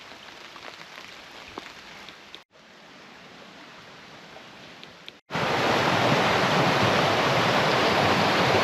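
Rushing water on a rainy day, first softer then a loud roaring torrent after two brief silent cuts, with no animal sound.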